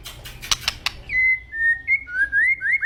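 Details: White-rumped shama singing agitatedly: a few sharp clicks, then long clear whistled notes gliding between steady and rising tones, ending in quick upward-sweeping whistles.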